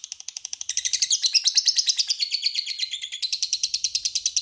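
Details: Lovebird giving a long ngekek, used as a lure to make rival lovebirds answer: a fast, unbroken stream of shrill, scratchy chattering notes that starts soft and grows loud after a second, holding steady to the end.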